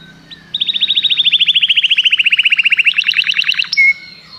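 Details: Canary song: a fast, even trill of about thirty short notes that slowly drops in pitch, then changes to a sharper repeated phrase and ends with a brief whistled note.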